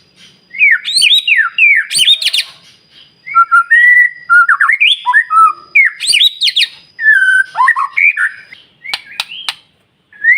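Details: White-rumped shama in full morning song, used as a lure to make other birds answer; rich, loud whistled phrases rising and falling, mixed with sharp clicks and rapid chattering notes, in bursts separated by short pauses.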